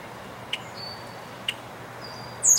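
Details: Male Red-winged Blackbird at Dufferin Islands on April 23, 2021, giving thin, high, drawn-out whistles, each slightly falling, with two soft chips between and a louder, harsher burst at the end.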